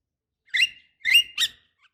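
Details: Javan myna, a female calling a male, as a lure: three loud, raspy chattering notes in quick succession, the middle one longest.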